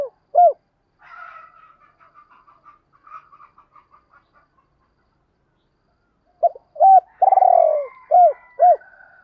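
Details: Faint scattered chirps from small birds come first, with a single short coo at the start. A loud spotted dove phrase follows: double coos, a long rolling descending coo, and two crisp arched ones. The call is used to lure wild doves.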